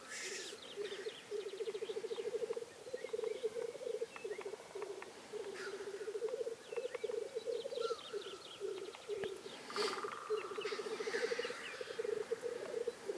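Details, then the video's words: Black grouse at a lek in Karelia, Russia, 2016, recorded while hunting. They give continuous low, dove-like bubbling rookoo calls broken by harsh hissing sneezes, while small songbirds chirp and twitter in the background. "Тетерев на току. Black Grouse."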